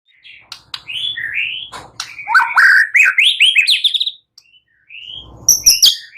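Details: White-rumped shama singing energetically, used as a lure to provoke other shamas into singing: varied whistled and chattering phrases, sweeping and rising notes, quick trills and sharp chips in rapid succession, with a brief pause near the end.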